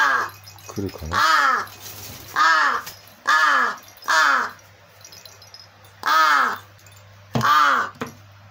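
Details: Crow that is not actually hungry gives pleading, begging caws while pretending to be hungry and paying little attention to a baby's rattle toy; six harsh, arched, nasal caws about a second apart, each roughly half a second long, over a faint low hum.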